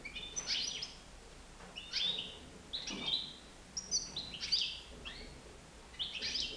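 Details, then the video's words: European goldfinch, nine months old, loose in a living room at home; bright, high, slightly buzzy chirps in short bursts roughly every second, with quiet room background between phrases. "chardonneret libre dans mon salon"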